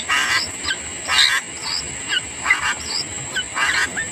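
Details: {'caption': 'A parent sooty-headed bulbul feeding its young. Rasping begging bursts come roughly every second, mixed with brief, thin, falling whistle notes, against a steady shrill background tone.'}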